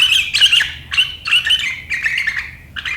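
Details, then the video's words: Sharp riwikan chattering of a sooty-headed bulbul, dated 7 April 2023, which sets rivals calling: dense bursts of bright, slurred chirps in close clusters with brief gaps between them. "Suara burung KUTILANG GACOR RIWIKAN yang tajam membuat lawan ikutan ngeriwik"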